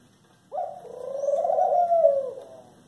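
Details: Eurasian collared dove giving a single drawn-out, nasal, wheezy call of nearly two seconds. It starts abruptly, swells gradually, holds a steady pitch, then fades. The room is otherwise quiet, and a short spoken word comes just before.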